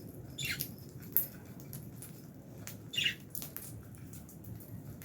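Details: Fischer's lovebirds kept in an aviary with albino lovebirds, chirping while eating food: two sharp, high descending chirps about two and a half seconds apart, with scattered clicks and soft rustling over a low steady hum.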